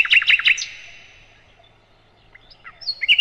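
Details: Sikatan londo (nightingale) from a master recording for training cage birds: three loud, rough chirped notes in quick succession, a quiet stretch, then sparse thin whistles and a final sharp note.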